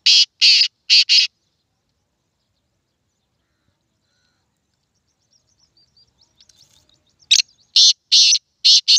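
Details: Black francolin calling: a group of four harsh, rasping, high bursts, a long quiet gap with faint music, then another series of grating bursts of similar rhythm.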